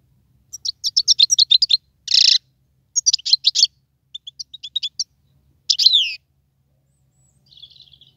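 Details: , wild goldfinch singing: bursts of rapid high twittering notes, a buzzy harsh phrase, then more tinkling chirp runs and a drawn-out sweeping note, separated by short silences.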